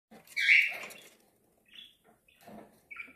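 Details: A breeding budgerigar gives one loud, harsh, rasping squawk, then several short, high chirps spaced about half a second apart.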